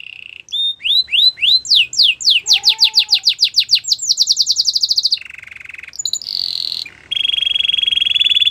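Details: Belgian canary singing: a steady trill gives way to rapid repeated downward-sweeping notes, about three per second and quickening, then a sustained buzzy roll and a high pure trill.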